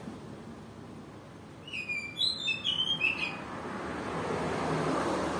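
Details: Kalimantan white-rumped shama giving a brief burst of high whistled and warbled notes after a quiet start, followed by rising background noise.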